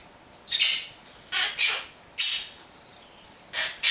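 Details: Monk parakeet at home speaking its name and words like kiss, come here and move away; scratchy, hoarse syllables come singly and in pairs, irregularly spaced across a few seconds.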